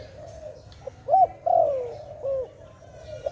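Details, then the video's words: Dove near a bird trap cooing: a soft low run, then a sharp arched note, a longer drawn-out falling coo and a final rounded note, over quiet hum. "Sound of dove"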